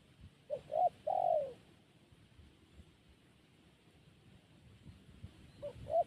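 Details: Zebra dove giving one phrase of two quick soft notes and a longer mellow falling coo, then a long pause before two more brief notes begin, with faint low background noise.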